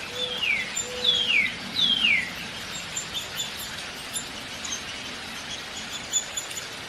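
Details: Downy woodpecker calling three times in quick succession, each note a high, thin downward slur, followed by a few faint distant chirps against a steady background hiss.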